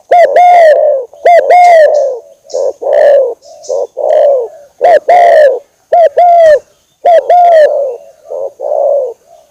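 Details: Spotted dove lure call from Indonesia, used for luring birds: deep mellow coos in short bursts, each phrase about a second long and swelling then falling, repeated with brief silent gaps throughout; faint softer coos between the louder phrases.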